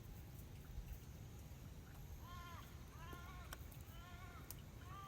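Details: Pacific black duck preening and resting by a lake in Worimi Country gives about half a dozen short, nasal, arched calls in quick succession, over a steady low rumble of wind and background noise.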